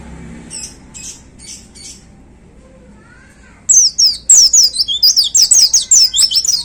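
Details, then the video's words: White-eye in a hanging cage opens with a few soft, scratchy high chirps, falls briefly quiet, then bursts into a loud, rapid 'tembakan' volley of high, down-slurred whistles repeated quickly for about three seconds. "Suara Tembakan Dahsyat Pleci Gacor Paling Digemari Para Plecimania Digantangan"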